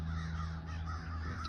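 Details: American crows in sand pine scrub at Lyonia Preserve, Deltona, Florida, on November 23, 2024, possibly gathering at a nearby pond, give harsh hoarse caws in quick succession over a steady low wind rumble.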